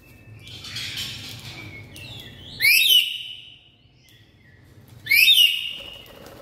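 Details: Black-capped lory calling very loudly: two piercing, rising, whistled squawks about two and a half seconds apart, each with layered harmonics, preceded by softer rustling sounds.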